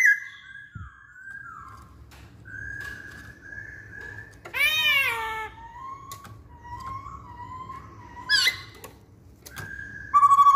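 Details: Indoor recording of a caged masked laughingthrush (poksay hongkong): varied whistled phrases, some falling, a harsh harmonic squeal midway, a wavering mid-pitched whistle, then another squeal and loud notes at the end.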